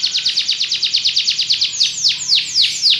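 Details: Belgian canary singing: a fast, even trill of short high notes runs for about two seconds, then gives way to slower, loud down-slurred swoops roughly three per second.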